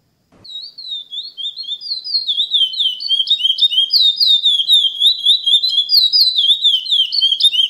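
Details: Chestnut-bellied seed finch sings a rapid, flowing run of clear whistled notes, a repetitive classic praia song with intervals used to teach young birds.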